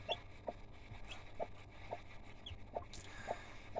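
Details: Broody hen with freshly hatched chicks gives steady, soft, low clucks roughly twice a second. Thin, high peeping from the chicks is heard now and then over a quiet background.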